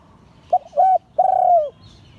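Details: One cooing phrase from a spotted dove in the liu tan style. A brief hoot and a slightly longer one lead into a sustained low note that slides downward. The background is quiet, with a faint chirp at the end.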